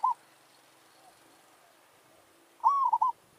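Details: Village zebra dove decoy gives a territorial challenge to a wild forest bird. A phrase ends at the start, then near-silence, then one soft rising coo trailing into three quick stuttered notes.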